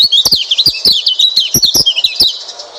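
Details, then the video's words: Oriental white-eye, played as a lure for a white-eye that will not sing: a fast, jumbled stream of high, sweet whistled twitters that dip and rise, with sharp clicking ticks scattered through the phrase. "pancingan burung pleci malas bunyi"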